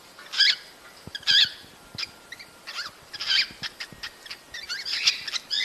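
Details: Cockatiels vocalizing to prompt males and females to mate: sharp, bending chirps in quick succession that grow busier and chattering toward the end.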